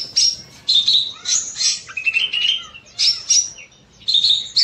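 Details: Small bulbul (cucak mini) singing long and steadily in an aviary on an evening: bright whistled phrases, rising and falling, in bursts about every second with short pauses, no other clear sounds.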